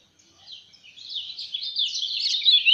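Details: Lemon-bellied white-eye from Lombok in fast, dense 'speed rapat fighter' style song: a high twittering stream that starts faintly and swells steadily louder over nearly three seconds.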